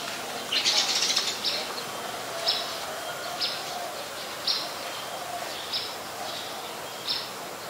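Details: Brown-throated Sunbird (Anthreptes malacensis) in Ubon Ratchathani, Thailand, on 13 January 2021, giving sharp, high chips, first in a quick cluster, then single notes about every second, over a steady outdoor hiss.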